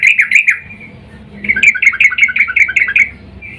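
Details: Sooty-headed bulbul female in breeding mood calling to the male, used as a lure; two quick wavering chirps, a short pause, then a longer burst of about eight rapid trilled notes.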